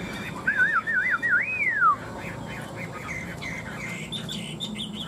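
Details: Fighting-style song from one of two caged Chinese hwamei kept three years: a loud, rapidly wavering whistle that loops up and down several times, then slides steeply downward, followed by softer, shorter notes.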